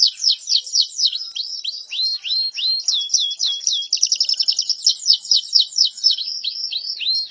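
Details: Canary singing as a master track for teaching other birds, with rapid downward-sweeping whistled notes, then a buzzy fast trill and more swooping slurred notes, all high-pitched and clean.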